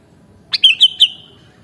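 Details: Sooty-headed bulbul (kutilang): a short sweet phrase of three rolling whistled notes, ending in a thin fading tone, with nothing else heard.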